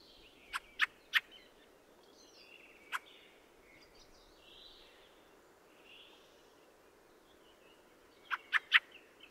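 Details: Fieldfare (Turdus pilaris) with a rapid triple clack, a lone clack, soft creaky and whistled warbling notes, then another quick run of three harsh clacks.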